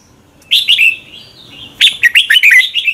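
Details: Morning song of a red-whiskered bulbul kept for training birds to sing in contests: a warbled phrase, a pause with a faint thin note, then a longer run of bright, bubbling, quickly varied notes.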